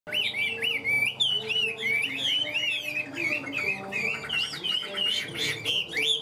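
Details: Caged Hwamei singing a loud run of clear whistled phrases, each note swooping up and down in quick succession, with a faint low hum in the background.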